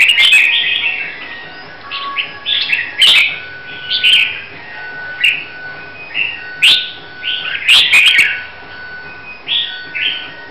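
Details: Competition-prepared red-whiskered bulbul, Hue type from Vietnam, singing a lively string of clear whistled phrases, each a few rapid up-and-down notes, separated by short gaps, with faint sharp clicks behind.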